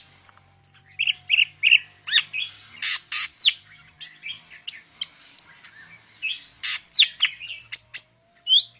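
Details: Medan greater green leafbird in full song, a busy run of sharp whistles, chirps and harsh buzzy bursts in quick succession, with a faint low hum beneath.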